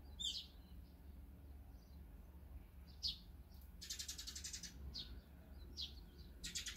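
Scattered high chirps and short buzzy notes from small birds, a few seconds apart, over low background rumble.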